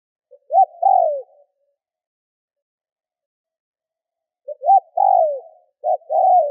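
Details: Spotted dove used as a lure to excite wild doves: two separate coo phrases, each of quick short notes leading into a mellow descending coo, split by several seconds of silence.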